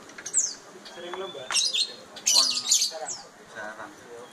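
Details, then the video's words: Bar-winged prinia calling with sharp, high downslurred chips and bursts of rasping, buzzy notes, several in quick succession; faint background murmur underneath. "prenjak pari bar-winged Prinia"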